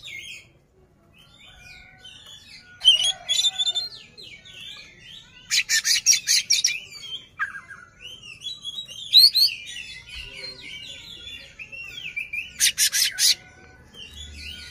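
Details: Oriental magpie-robin performing with its tail fanned, singing to rile a rival: varied high whistled phrases and slurred notes interspersed with harsh rasping bursts around three, six and thirteen seconds.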